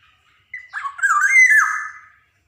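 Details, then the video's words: Black-naped oriole of the Javan golden form in lively, varied song, meant to stimulate young birds: one fluid phrase that starts with a short note, then sweeps in slurred, throaty whistles before dropping away. "SUARA PANCINGAN KEPODANG JAWA | kicauan kepoxang emas gacor"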